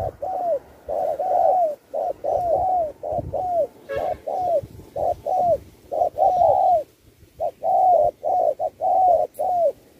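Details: 2024 contest spotted dove singing 'Thúc' style with 'Bo', phrases shifting like a wild bird: rapid series of soft double coos, short then long and falling, continuing for ten seconds with a brief pause.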